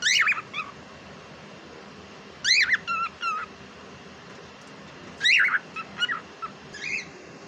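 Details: Pet cockatiel talks in three chattering phrases, each starting with a loud rising, whistled syllable and followed by quick clipped notes. The phrases come roughly every two and a half seconds over a faint hiss.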